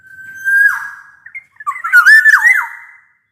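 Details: Long level whistle from a black-naped oriole dropping at its end, then a tumbling phrase of warbled, rising and falling fluted notes; offered as a lure for orioles reluctant to sing.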